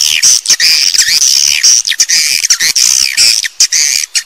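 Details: Dense chorus of swiftlet calls: high, harsh twittering chirps repeated rapidly, with brief gaps between bursts, many birds overlapping.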